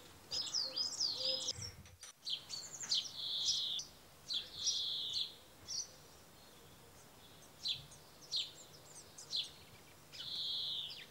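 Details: A male brambling gives drawn-out, nasal wheezing notes among quick high chirps and slurred twitters, with a brief knock near the start.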